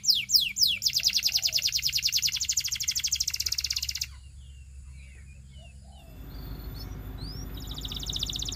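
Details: Russian canary singing: fast descending whistled sweeps, then a dense buzzy trill lasting about three seconds, followed by quieter scattered notes and a soft high trill near the end.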